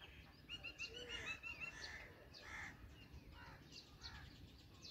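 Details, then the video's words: Black drongo feeding its chicks: harsh, harmonic squawking notes come in quick bursts, some with a ringing, nasal tone, over a low background rumble. "Black Drongo Feeding Chicks"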